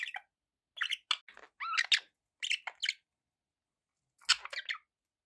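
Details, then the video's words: Pet budgerigars indoors giving scattered groups of short warbling chirps and squeaky notes, with quiet gaps between the bursts. "1 hour of budgie sounds"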